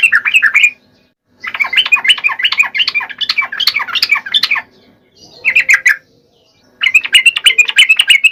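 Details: An energetic sooty-headed bulbul, used as a lure to spur lazy birds into song, delivers rapid chattering bursts of warbled notes, several seconds long. They are split by short silent gaps, with one brief phrase in between.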